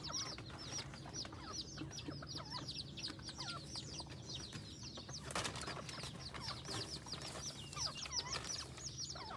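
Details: Junglefowl hybrid decoy fowl, second-generation cross, at a village home in Roi Et, Thailand; constant high downward-curving peeps from several birds, one brief burst of wing flapping midway, and a low hum underneath.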